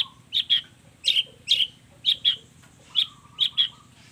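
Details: Long-tailed shrike singing in combination style: paired sharp, bright chips repeated about every half second, with a faint low drawn-out whistle in the background.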